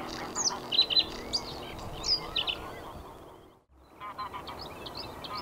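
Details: Spring song of a male Bluethroat perched on a post close by: sharp high whistles and clicking notes in short bursts, a pause, then a fresh series of high ticking notes, over soft background noise.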